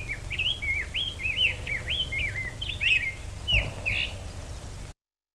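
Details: Wild rose-breasted grosbeak recorded live in May at Stewart Park, perhaps the first recording of a wild bird, sings a fast, sweet warbling run of rising and falling whistled phrases over a low rumbling background hiss.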